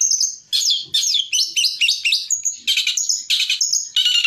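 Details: Long-tailed shrike delivering quick tembakan phrases as a training master: downward-slurred whistles repeated about three times a second, then harsher buzzy bursts alternating with clear, level whistles.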